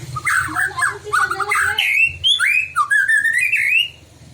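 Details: White-rumped shama singing to provoke other shamas: lower, rapid chattering warble followed by several clear rising whistled slurs, against a faint low hum.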